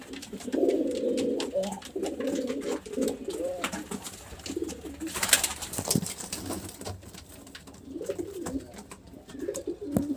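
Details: Pigeon heard in a small room, giving low soft coos, a repeated burbling phrase rising and falling, with a rustle and a brief noisy burst midway.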